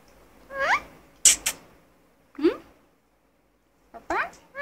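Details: Indian ringneck parakeet kept as a talking pet, uttering short nasal, rising harmonic syllables in four separate bursts, with sharp clicks between them and silence around.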